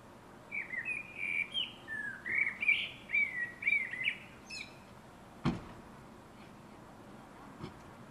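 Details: Common blackbird delivering a fluted, warbling song phrase of rapid mellow whistles rising and falling for about four seconds, followed by a thin high twitter, then two sharp knocks and quiet outdoor hiss.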